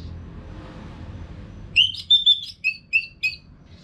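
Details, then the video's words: Orange-headed thrush song used to train caged birds. After nearly two seconds of faint hum, a series of about six short, clear whistled notes follows in quick succession, each slightly falling. "ANIS MERAH GACOR TIADA HENTI TANPA NGETEM"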